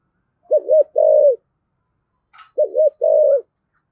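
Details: Spotted dove, 'giọng thổ' song style, calling to spur other doves to coo back: two mellow phrases of a short double note plus a longer falling coo, with a brief click between them.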